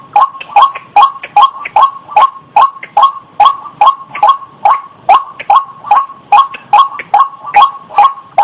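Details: White-breasted waterhen lure call: steady, loud string of short rising notes, about two and a half per second, with faint extra higher notes between some of them.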